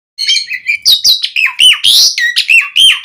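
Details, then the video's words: Asian pied starling song used as a lure to get captive starlings singing: a loud, varied run of chirps, squeaks and sliding whistles, delivered rapidly in close, busy phrases. "Suara Kicau Jalak Suren Memanggil Burung Jalak Agar Cpt Gacor - Pancingan Jalak Uren Full Isian"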